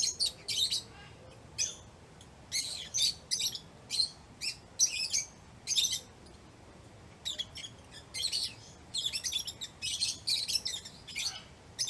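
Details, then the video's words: Lovebirds chirping in excitement, as when playing or eating: clusters of piercing, high, squeaky chirps in bursts of two to five notes, separated by short pauses, keeping a lively irregular rhythm throughout. "Lovebirds Chirping Sounds"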